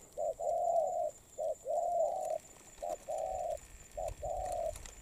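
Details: Recently trapped spotted dove, molting, coos briskly. The voice is a low, mellow, paired pattern: a clipped note then a longer hum-like hoot, repeated four times in quick succession.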